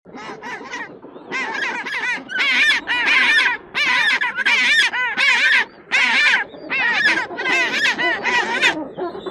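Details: Penguin calling with loud, harsh, braying bursts rich in harmonics. The bursts come in a rough series, each lasting about half a second, with short gaps between them. Softer overlapping calls sound underneath.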